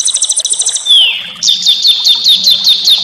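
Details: Small songbirds in a rough-style training recording for white-rumped shama: a quick burst of very high chattering notes, a long downward-sliding whistle, then a string of bright, sharply accented chips.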